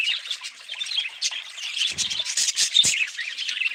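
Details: Budgerigars twittering and squawking in a dense flock, with a low rubbing, scraping noise partway through and a sharp clicking tap near the end.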